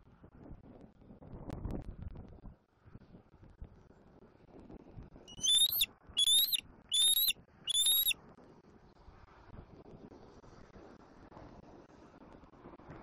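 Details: Southwest Florida juvenile bald eagle squealing for its mother, April 2024 afternoon: after several quiet seconds of faint background rumble, four short, shrill, rising whistled squees come in a quick, even run.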